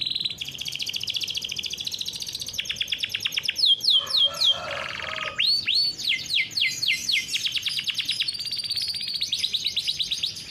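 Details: Farm-bred canary in full rolling song, used to prompt young canaries to sing: a sustained high buzzy tone, fast rattling trills, a brief lower churring burst, then deep slurred swoops repeated about twice a second before dense rolled trills.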